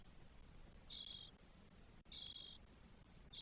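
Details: Twelve-day-old spotless starling nestlings, four in a Spanish nest on 1 June 2022, making two full raspy hisses about 1.2 seconds apart and the start of a third.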